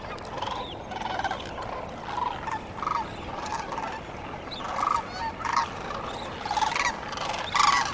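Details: At first light on the Cosumnes River, a gathering of sandhill cranes gives short, clipped trumpeting calls in quick irregular pulses, many voices overlapping across the whole stretch.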